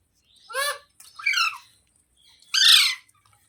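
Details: Pet talking parrot producing three separate rough squawks, the first two short and banded, the last louder and longer, harsh and grating, separated by brief silences.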